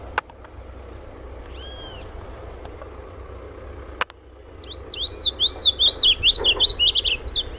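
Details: Masked yellowthroat singing: after several quiet seconds with a few faint chirps and a sharp click, a rapid run of high, sharp, slurred notes starts midway and repeats about twice per second until the end.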